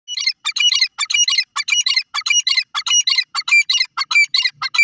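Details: Grey francolin, locally called teetar, giving its natural call: loud, harsh, high chattering bursts delivered in quick succession in short clusters with brief gaps, about twenty bursts in five seconds, with no other clear sounds.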